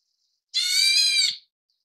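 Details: Black Bulbul chicks, Taiwan endemic subspecies Hypsipetes leucocephalus nigerrimus, begging while being fed: a single loud, harsh, buzzy rasp with stacked harmonics lasting just under a second, otherwise quiet.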